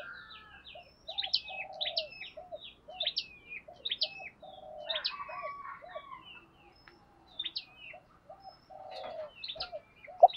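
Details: Spotted dove, male and female birds, cooing to stir other doves, heard from further off: repeated soft rolled coos and short hoots run throughout, overlaid by busy high twittering of small birds and light background rustle.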